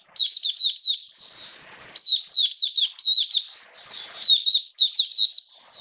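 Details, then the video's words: Hobby-kept Oriental white-eye (Mata Puteh), dated 29 September 2022, singing steadily: fast, high, wavering warbles strung into bursts of one to two seconds, with soft rustles between phrases. "Mata Puteh Buka Sing"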